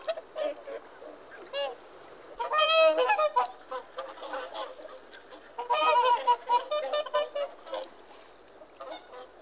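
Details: Whooper swans calling: loud, nasal trumpeting honks with rich harmonics, given in overlapping bursts by several birds, the strongest outbursts near the third and sixth seconds.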